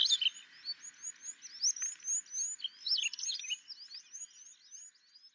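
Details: Sykes's lark, or Tawny lark, in Gujarat, India: a softer, continuous stream of thin, high slurred whistles and chirps running on without breaks, over a faint hiss.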